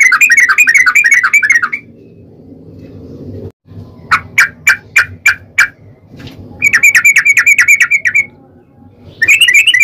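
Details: Yellow-vented bulbul in lively ropel panjang style, a long rolling song used as a lure to make other bulbuls sing: fast bubbling phrases of rapid notes, then a run of six sharp separate chips, then rolling phrases again.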